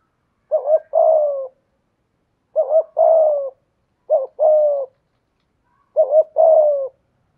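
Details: Four steady phrases from a decoy spotted dove with a 'thổ'-style voice, each a clipped double note answered by a long, low, descending coo, separated by pauses of about a second; background silent.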